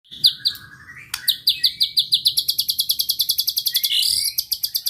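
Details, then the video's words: White-rumped shama song used to provoke rival birds into high excitement: a short high phrase, then a long, fast run of sharp, evenly repeated high chirps, ending with a rising whistled slur. "pancingan muraibatu gacor bikin murai lawan dengar AUTO EMOSI TINGGI"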